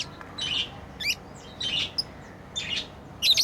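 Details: Pet lovebirds at play give short, shrill chirps in scattered bursts about every half second to second, with a faint hiss of room noise beneath.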